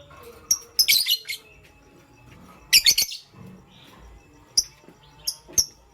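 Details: Pet lovebird, pastel gray, chirping in the morning: two clusters of scratchy high chirps about two seconds apart, followed by several short isolated chirps.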